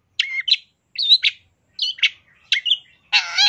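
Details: Cendet, or long-tailed shrike, giving master song with fill-ins: paired high twisting whistles in short bursts separated by brief pauses, closing with a loud, rasping, nasal squawk.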